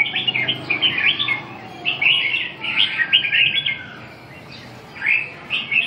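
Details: Red-whiskered bulbul song of lively chirped phrases, with rapid twittering bursts for about four seconds, a brief lull, then two more rising notes. Low steady hum in the background.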